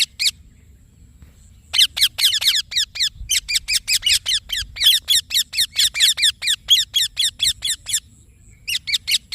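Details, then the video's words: Long, nearly unbroken string of rapid, shrill chirps from a green Indian ringneck parakeet, about two per second after a short opening call, harsh and ringing, stopping briefly before resuming; low hum behind. "Green Parrot Chirping Sounds / Voice"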